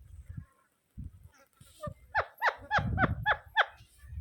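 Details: Rose-ringed parakeet giving a rapid series of about seven sharp, falling screeches, roughly three per second, over low rumbling background noise.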